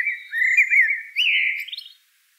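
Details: Common blackbird's smooth fluted warble, rolling and slightly descending, then rising into a brighter drawn-out phrase before fading. The song is clear against silence.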